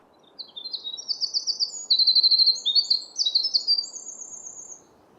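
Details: Winter wren (Troglodytes hiemalis) song on a spring morning in Maine: a long, rapid, very high tumble of tinkling trills and buzzy notes lasting over four seconds, above a steady low rush of background noise.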